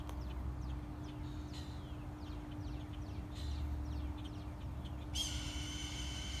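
A hawk gives a sudden, steady, high whistling screech, like a tea kettle, near the end. Faint small-bird chirps and a low mechanical hum run throughout.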